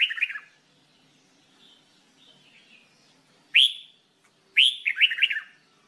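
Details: Red-whiskered bulbul singing for training: a warbled phrase, quiet soft notes, then a loud rising whistle and a final burst of rapid, chattering warbles.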